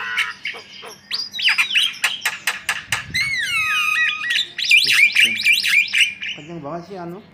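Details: Varied white-vented myna song mixing clear whistles, warbling modulated notes and harsh clicks, ending in lower, wavering notes.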